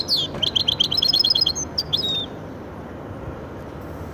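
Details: A goldfinch-canary hybrid sings a rapid, ringing trill of repeated high notes with a couple of slurred whistles, lasting about two seconds before falling silent.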